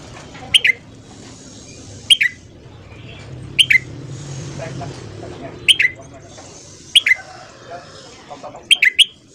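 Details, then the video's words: Red-whiskered bulbul singing at morning for voice training, giving crisp two- to three-note whistled phrases, each dropping slightly in pitch, repeated about every one and a half seconds above a soft low hum. "luyện giọng chào mào hót sáng"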